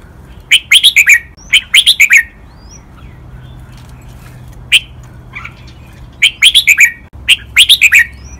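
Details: Red-whiskered bulbul song used to teach captive birds to copy, the doubled "berl" style with 23 counted phrases, mother-template and Pa La-u forest tune; bursts of bright, bubbling warbled phrases in groups of three or four notes, separated by pauses.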